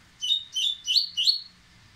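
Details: Dubois's seedeater (Sporophila ardesiaca), song.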